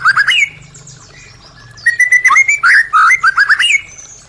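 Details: White-rumped shama singing, a lure meant to get caged birds that went quiet to sing again: quick rising whistles, a short pause, then a fast run of slurred, bending notes mixed with high chips.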